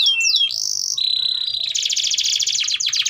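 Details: Canary song for teaching juvenile canaries: swooping whistles lead into a long level whistle, followed by a fast rattling trill.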